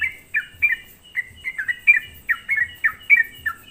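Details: Sooty-headed bulbul singing as a lure to provoke others: scattered clusters of short falling whistles with brief gaps between them.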